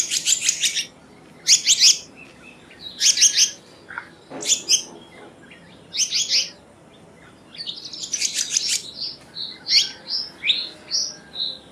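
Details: Black-naped monarch giving bursts of buzzy, high, rasping notes about every one and a half seconds. A quick, rising chirp breaks in midway, then a run of rapid, clipped high whistles follows.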